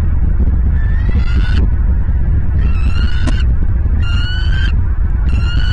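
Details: Bald eagles calling at their nest in Southwest Florida, nest camera footage dated 23 January 2023 at 09:45; four repeated rising, harmonic calls, each under a second long, spaced about a second apart, over loud wind noise.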